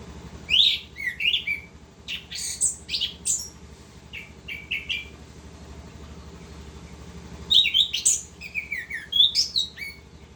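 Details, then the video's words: Orange-headed thrush in lively, rolling continuous song (ngerol): dense runs of varied high whistles, slurred notes and rapid chirps across several seconds, a quieter pause, then another energetic burst of mixed phrases, with faint low hum beneath. "Anis kembang gacor ngerol"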